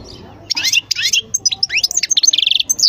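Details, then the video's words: European goldfinch singing: fast twittering song of rapid high chirps and liquid trills, dense notes packed in quick succession after a brief quiet start, with a faint low hum underneath. "تغريد حسون خلو"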